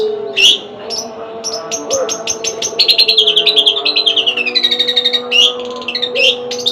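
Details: Household long-tailed shrike (cendet) singing: scattered sharp chips give way to a fast, even trill of clicking notes that slides downward, then more varied whistled and scratchy phrases, with a faint background hum.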